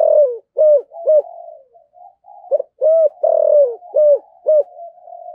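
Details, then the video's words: Spotted dove of the 'thổ' voice style, cooing to draw in and provoke wild doves: deep hollow notes in quick series, short clipped coos around a longer swelling one, repeated twice, with soft continuous cooing underneath. "cu gáy giọng thổ gáy gọi hay và kích bổi nó rất hiệu quả, cu gáy giọng thổ sấm"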